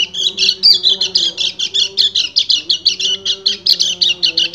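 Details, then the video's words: Rapid high chattering song of a male white-eye summoning a female in breeding condition, steady pulsing notes about six per second, with a faint low steady hum underneath. "PLECI GACOR NGEBREN - KECIAL KUNING BIRAHI MEMANGGIL BETINA"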